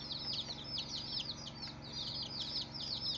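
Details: Many colourful baby chicks calling, bright high peeps curving downward in quick overlapping bursts, a continuous chattering chorus over a faint low hum.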